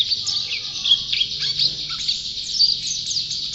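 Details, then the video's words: Champion white-eye singing a dense, high twittering song of quick slurred and trilled notes, continuous throughout with no pauses, over a faint low hum. "Burung Pleci Juara Gacor"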